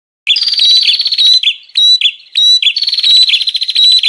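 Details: Bar-winged prinia lure call for attracting wild birds: loud, buzzy rattling trills broken by short clear whistles and sharp chips, repeated rapidly with brief pauses.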